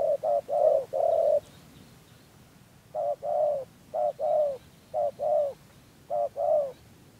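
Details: Spotted dove used as a lure for trapping in Dak Lak, Vietnam, cooing in gù style: short bursts of two to three rapid low notes, the last longer and slightly falling, repeated after pauses.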